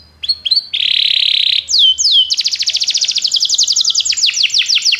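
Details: Belgian canary singing to set off other canaries: short chirps, a sustained buzzy tone, two falling whistles, then a long, fast series of descending strokes forming a rolling trill.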